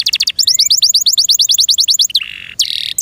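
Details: Captive canary delivers quick high trills in rhythmic bursts, followed by a short low buzzy rattle and then a fresh bright trill, all loud and clear.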